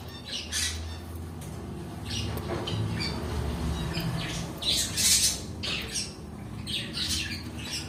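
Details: Pet cockatiels squawking in loud, raspy, broadband bursts about once a second, loudest in the middle, with a low household hum running underneath.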